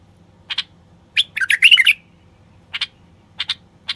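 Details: Common bulbul male song for urging silent wild bulbuls to sing and mate. Two short chips lead into a quick, tumbling whistled phrase, followed by a few separate sharp notes.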